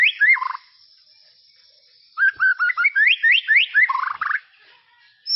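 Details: Tropical forest white-rumped shama song for tutoring young birds: a brief descending whistled phrase, a two-second pause, then a rapid series of rising whistled slurs ending in a falling trill.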